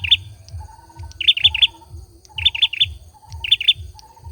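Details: Singing male olive-backed sunbird: short groups of three piercing high chirps, a cluster about every second, with a soft wavering mid-pitched trill between them and a low thumping rhythm behind.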